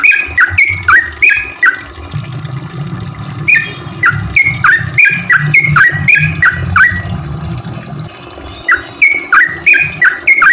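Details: Sooty-headed bulbul, recorded as a lure for other bulbuls, chattering in bursts of quick dipping notes, with a pause near the end before resuming, over a steady low hum.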